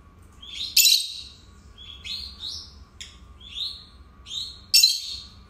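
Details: Shrill, quickly rising chirps from two captive pet lovebirds, spaced about a second apart, with a couple of harsh, louder squeaks mixed in; a faint steady hum underneath.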